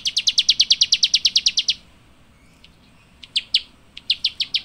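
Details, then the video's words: Quick series of bright, high chirps from a Java sparrow, a silent pause of over a second, then scattered chirps building back into a rapid run. "Rice Eating Birds Chirping"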